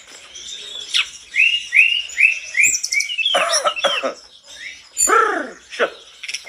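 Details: Song of a lively mountain tledekan that prompts others to respond: a run of repeated short rising whistles, then harsher downward-sweeping notes and a loud slurred call.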